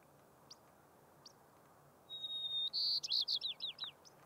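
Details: Wild white-crowned sparrow singing high on tundra in Rocky Mountain National Park, 6-10-2022: after faint chips, a sustained thin whistle leads into a buzzy phrase and a string of five or six downslurred notes.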